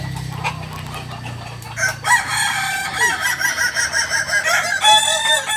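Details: Kukuak balenggek rooster at a Sunday joint practice contest in Ampang Kualo, giving a long harmonic crow that breaks into stepped, wavering segments after a short lead-in, with clapping and other birds in the background.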